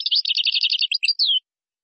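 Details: A brief Moroccan-style song fragment from a European goldfinch, gazarat and srrr bertbertio type: a dense burst of chattering notes that breaks into a few separate chirps and ends in a downslurred whistle, followed by silence.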